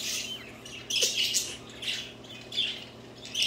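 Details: Budgerigars at play, singing: dense scratchy chattering and squawky chirps in repeated bursts about every half second, some louder peaks, over a faint steady indoor hum.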